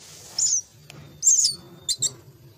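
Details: Nestling mynas being fed give three short, harsh, hissing squawks within a couple of seconds, the middle one longest.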